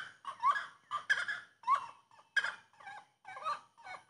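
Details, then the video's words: A grey-cowled wood rail gives loud, harsh, cackling notes with upward-sweeping squawks, repeated in a rapid, uneven rhythm about every half second. "Canto da saracura Três Potes"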